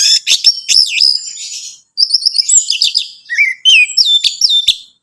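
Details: Orange-headed thrush song, used to prompt a caged bird into singing: dense, rambling high warbling with slurred whistles and rapid mimicked-sounding phrases, broken by one brief pause.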